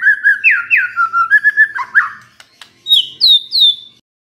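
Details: White-rumped shama lure song, aimed at making a stressed shama burst into song: a string of mellow rising and falling whistled notes, a brief dip, then three high clear downslurred whistles.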